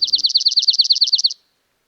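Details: Dark-eyed Junco, the first spring migrant to arrive in southeast Saskatchewan/southwest Manitoba, passing through in large numbers in April, gives a quick, even, high trill of about fourteen dry notes over just over a second; faint low rumble beneath the start.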